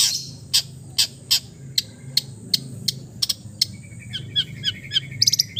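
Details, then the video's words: Long-tailed shrike from East Java giving relaxed, mimicry-filled song: a series of spaced sharp high clicks, then a thin trilled chatter and loud high chirps at the end. "TERAPI CENDET BISU KURANG FIGHTER DENGAN KICAU SANTAI CENDET JATIM GACOR FULL ISIAN"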